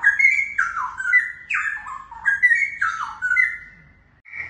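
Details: Straw-headed Bulbul, one of a young wild-caught pair, DNA-tested male and female, that sing morning, noon and night but fall silent when startled. Loud, rich liquid phrases of slurred, descending whistles come in quick successive bursts, with faint room noise beneath.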